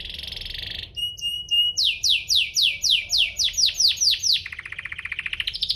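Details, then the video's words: Domestic canary singing to prompt other canaries to respond: a buzzy trill, short clipped whistles, then a long run of repeated falling whistled sweeps about four per second, ending in a rising rattling trill. "burung kenari ini pintar pancing emosi, Pancingan kenari biar gacor"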